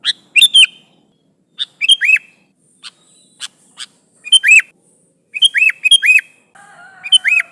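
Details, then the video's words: Sooty-headed bulbul calling its companions, lure recording: repeated short phrases of crisp chirps and looped, arching whistled notes across the clip, with a faint low steady tone near the end. "Suara Burung Kutilang Gacor Memanggil Temannya"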